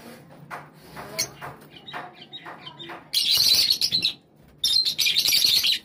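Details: Java sparrows gathering together as a flock at a call: soft scattered chirps at first, then two loud dense bursts of high, harsh chattering, the second after a short pause.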